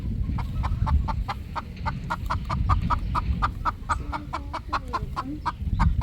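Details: Three roosters at ease at evening sunset on a poultry farm, repeating short clucks about four per second with a few quiet drawn notes, above strong low-pitched background noise.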